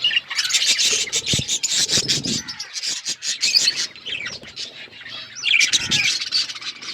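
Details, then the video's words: Several budgerigars chattering, a thick stream of high twittering and squeaky warbles with a couple of low thumps early on. "Beautiful budgies colour birds chirping sounds"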